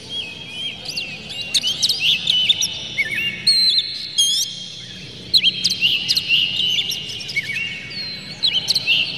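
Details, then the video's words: Oriental magpie-robin provocation song: varied whistled phrases with twisting glides and sharp high chips, in short bursts every second or so, against a low constant background hum. "PANCINGAN KACER Buka Ekor KONSLET bongkar MATERI KASAR JERNIH agar KACER emosi"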